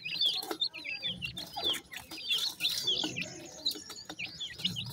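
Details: Grey francolin (dakhni teetar) chicks happily feeding: a flock gives high, thin downslurred peeps in quick overlapping succession, with soft pecking and rustling noises below.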